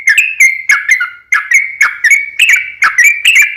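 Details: Sooty-headed bulbul singing for luring other bulbuls: short bursts of bright bubbly whistles, two or three notes per burst, separated by brief gaps, with sharp high clicks on each onset.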